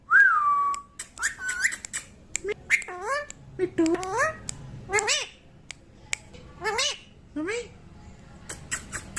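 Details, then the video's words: Baby pet parrot indoors, saying mummy: an opening falling whistle, then a string of voice-like syllables with sliding, harmonic tones and clicks, fading into faint ticks toward the end. "qute baby parrot talking mummy"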